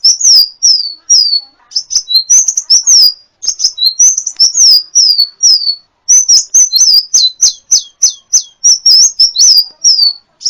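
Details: Champion sunbird, known as kolibri ninja, in a tutoring recording for caged songbirds: steady, rapid stream of sharp high chips and falling squeaks, with a clean series of identical descending notes near the end.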